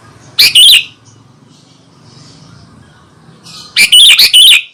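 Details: Sooty-headed bulbul in full, lively song meant to provoke rival bulbuls into responding: two loud bursts of rapid, harsh, warbling chatter about three seconds apart, the second longer and broken into three quick phrases, with quiet between.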